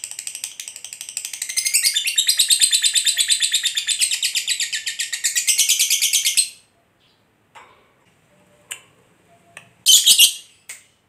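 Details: Long ngekek from a lovebird, meant to provoke other lovebirds to sing: a fast, shrill, chattering trill lasting about six seconds, then silence broken by a few soft clicks and one short burst of sharp, high chatter near the end.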